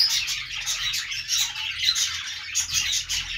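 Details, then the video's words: Budgerigar chirping: a continuous, busy stream of high, thin tweets and warbling notes, pulsing in short bursts several times a second with no pauses. "budgies sounds | parakeet chirping sounds |Australian parrot sounds"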